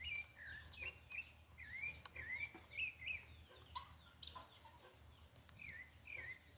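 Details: Thrush (sabiá) song at dusk on a rural smallholding: loud, fluty whistled notes in varied short phrases, some sliding upward, others dipping, delivered about twice a second, with sharp chips from other birds and a low rural hum.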